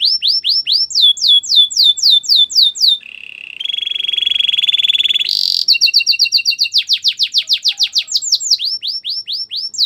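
A Belgian canary sings rapid runs of high, slurred downward whistles, then a steady buzzy roll and quick chopped notes, several every second, with nothing else heard.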